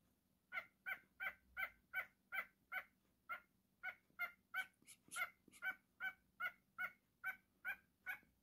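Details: Pet cockatiel, happy and playing, gives soft chirping calls repeated about twice a second in a steady series. There is a brief burst of higher scratchy notes midway and a faint low hum behind.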